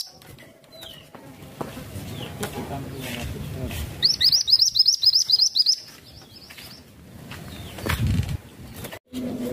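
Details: Masteran tutor songbird singing a quick burst of about ten high, sharp chirped notes, each rising then falling, lasting roughly a second after a quieter stretch with faint rustling and low background noise.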